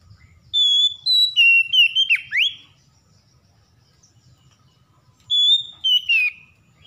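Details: Provoked into song, a stressed Oriental magpie-robin (kacer) whistles clear descending notes ending in a swift dip-and-rise sweep, then falls silent for a few seconds before another short whistled phrase.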